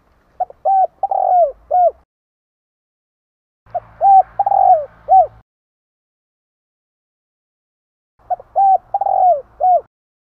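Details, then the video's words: Spotted dove calling to attract others: three bursts of mellow cooing notes, each phrase several short rounded coos ending in a downward-sliding note, separated by pauses of about two seconds, with faint low hum behind. "Chim cu gáy gọi kích bổi nhanh nổi hiệu quả"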